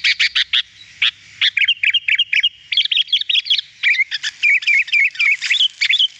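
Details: Sooty-headed bulbul song from a training recording for kept birds: a quick run of chips leads into a long, lively string of looping, up-and-down warbled notes, delivered almost without pause.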